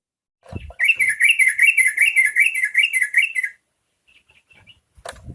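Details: Yellow-vented bulbul singing a lure song to draw other bulbuls into song: a lively, slightly wavering chatter of quick notes for nearly three seconds, then a few soft faint chips and a thump.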